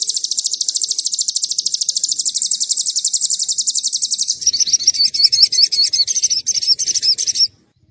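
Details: Crimson sunbird lure song meant to excite rival birds: a fast, high, buzzy cililin trill for about four seconds, then a lively jumble of high twittering notes before it stops.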